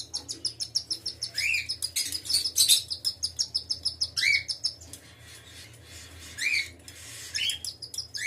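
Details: Cockatiels with a baby give rapid, scratchy high chirps broken by short rising whistles.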